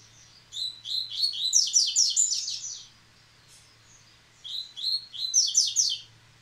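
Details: Two full phrases of a Rusty-collared seedeater singing again after the moult, each a quick cascade of high whistled and buzzy notes lasting about two seconds, separated by a short silence; low room hum.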